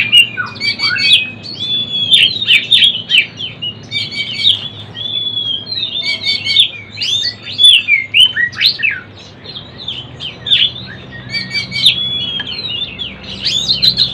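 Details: Young Oriental magpie-robin practising its song: steady flow of mixed whistled slurs, buzzy notes and quick chirps, phrases repeated in bursts with short pauses over fourteen seconds.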